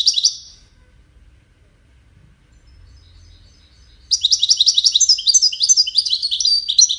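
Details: Contest-singing European goldfinch, widaniya style, one of five birds; a short twitter, then a quiet gap, then a rapid, continuous run of bright chattering notes and trills.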